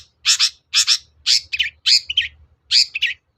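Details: Long-tailed shrike song meant to goad other shrikes into answering. Paired harsh, buzzy double notes repeat roughly every half second, some ending in a lower twisted chirp.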